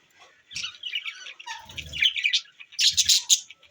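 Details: Pet budgerigars on December 25, 2023 give a rambling chirpy warble: high squeaks and buzzy notes, with a short burst of sharper chirps near the end and soft low thumps underneath.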